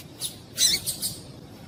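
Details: Female papa-capim (yellow-bellied seedeater) call, used to stimulate males for singing tournaments: a few brief, high, thin chirps, one strong squeaky note followed by two softer ones, over faint room hiss.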